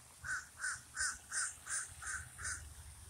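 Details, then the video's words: Common raven calling near a lake: seven short, evenly spaced hoarse notes, about three per second, over faint low background rumble. "Raven says never more"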